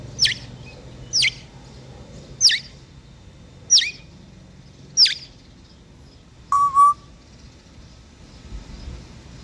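An African grey parrot mimics nightingale song: five sharp, high whistled notes about a second apart, then a lower, fuller whistle. Faint outdoor hum lies beneath.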